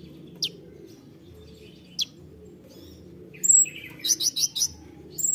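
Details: Konin bird singing in the 'tembakan' song style: a few isolated sharp high chirps, then a quick burst of bright, high twittering notes near the end over a low steady background hum.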